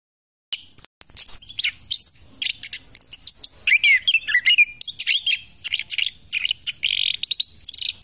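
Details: An orange-headed thrush keeps singing while moulting: a fast, varied run of high whistles, trills and buzzy notes, phrase after phrase with scarcely a pause.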